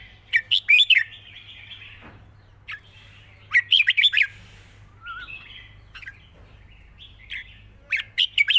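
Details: Easy-singing red-whiskered bulbul with a light voice performing the long 'rik' song style: rich, rapid phrases of chirpy whistled notes, each about a second long, repeated three times with quieter single notes in between.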